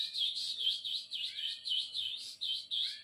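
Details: Canary repeating a fast, bouncy series of looping chirped notes, about four per second, bright and high, with a sweet rolling quality and no other sounds.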